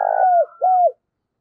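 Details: Morning call of a spotted dove kept as a decoy to draw in wild doves: the end of a phrase, a long rolling coo then one smooth, falling coo. A faint higher call sounds behind it.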